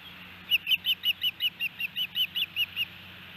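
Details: Osprey at a nest in Hellgate Canyon, Missoula, Montana, on 8 June 2018, while the male feeds his chicks; a series of about thirteen sharp, high chirped whistles in quick succession, each slightly downslurred, with a faint low hum.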